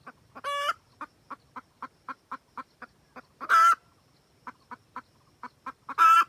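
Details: Wild junglefowl hen calling the rooster for trapping: a rising, ringing note early on, then short clucks repeated about four per second, punctuated by two loud, harsh, buzzy cackles near the end.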